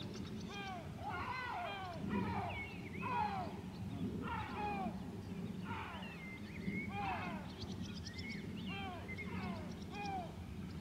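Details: White-tailed eagle (Haliaeetus albicilla) at Grönvik, Ornö, Sweden, 16 July 2024, giving bursts of shrill, yelping, down-slurred notes, each run of several quick yelps repeated every second or two, over a steady low rumble of wind.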